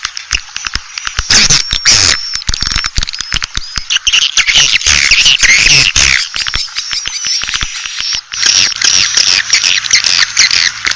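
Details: Asian swiftlet lure call used to attract swiftlets: dense, continuous high twittering and chattering with rapid overlapping chirps and sharp clicks, loud and unbroken throughout.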